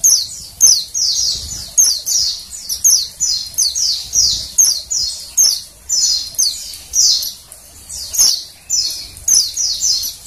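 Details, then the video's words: Rapid run of high, sharp downward-sliding chirps from a female Oriental white-eye, roughly two per second over ten seconds, a call meant to get males singing; quiet low rumble beneath. "suara PLECI BETINA penggacor PLECI JANTAN"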